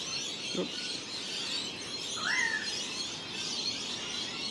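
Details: Wild parrots call in the background in Australia while several wild kookaburras visit a hand: one clear, short whistled note that rises and then falls over a steady, hissing chorus of high calls.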